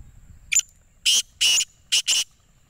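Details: Black francolin (kala teetar) giving a harsh, grating call: one short clipped note, then four longer rasping notes delivered in quick succession within under three seconds, loud and close over a quiet background.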